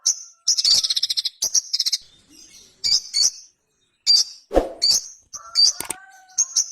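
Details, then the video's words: Ruby-cheeked sunbird in vigorous "gacor konslet" song: very high, thin chirps and rapid buzzy rattling trills in short bursts separated by brief pauses, with a sharp click-like note midway and a faint lower whistled tone near the end. "SOGON GACOR KONSLET - KICAU SOGON GACOR JERNIH"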